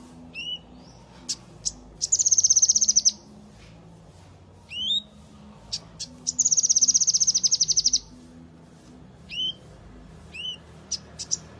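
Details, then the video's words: Yellow-eared spiderhunter repeats a pattern of rising whistled upslurs and sharp ticks, punctuated twice by a long, dense, rapid high trill about two seconds long. "Sogon gacor tembakan mewah"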